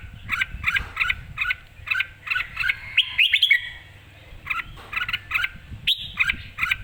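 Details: Red-whiskered bulbul, lively and ready to compete, giving rhythmic runs of short two-part chirps, broken by a louder bright warbled burst midway, with soft low background rumble.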